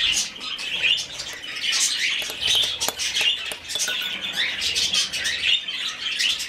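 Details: Rescued budgerigar chick during hand-feeding gives quick, squeaky, wavering chirps, some short upward slurs, repeated fast and irregularly, with light taps in the background.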